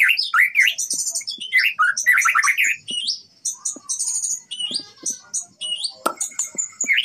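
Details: A 6-month-old white-rumped shama, just through its juvenile moult, sings a rich, fast medley of rising whistles, sweet slurred notes, dry trills and sharp clicks, several phrases a second.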